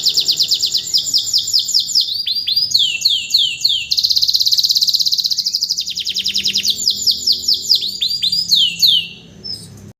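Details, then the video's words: Canary, a master tutor bird just after moulting, singing strongly without conditioning: continuous high rapid trills and rolling repeated notes, with a sustained buzzy trill in the middle and swept chips toward the end. "kondisi setelah mabung kenari langsung gacor"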